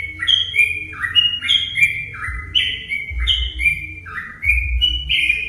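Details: Provoking song of a sooty-headed bulbul, played to get other bulbuls singing: lively, overlapping whistled phrases, each note slurring downward, repeated in quick succession against a background rumble.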